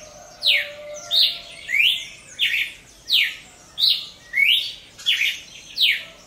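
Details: Cardinal of the genus Paroaria singing outdoors in nature, giving a steady series of loud whistled phrases that alternate falling and rising slurs, nine in about six seconds, over a quiet background.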